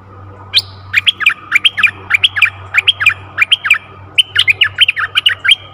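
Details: Decoy bulbul singing to lure a very old wild bird on 11 August 2021: loud repeated whistled phrases, each a high note falling into a quick warble, given in a fast series of about ten, over a constant low hum.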